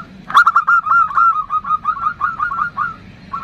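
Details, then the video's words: A female zebra dove calls the male in the nutut style: a sharp onset, then a fast run of arched cooing notes that slowly drop in pitch, over steady low background noise. "Perkutut Betina memanggil jantan, seperti ini suara NUTUT"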